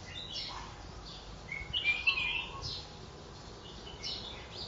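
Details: A wild mountain red-whiskered bulbul (Pycnonotus jocosus), caught one day before, sings scattered bright, chirpy notes, with a louder warbled phrase midway, over a steady low background hiss.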